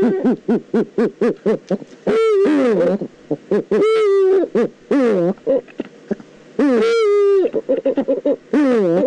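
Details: Eurasian eagle-owl recorded in the Eifel, Germany, on 9 September 2014: fast runs of short, harmonic, barking notes broken by three longer, rich, drawn-out wails that bend downward at their ends.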